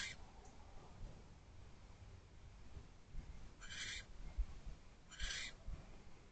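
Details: Barn owl at an owl box perch late at night on 15 January 2024, 10:48 pm; a few short harsh hissing screeches, two close together near the end, over low rumbling noise.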